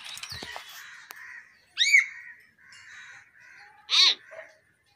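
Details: Talking common hill myna mixing low mumbled speech-like phrases with two loud, harsh, ringing arched calls a couple of seconds apart.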